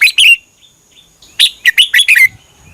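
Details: Red-whiskered bulbul song, Thai caged-bird style played so birds copy it; a short two-note fragment, a pause, then a lively phrase of five rapid sweet notes.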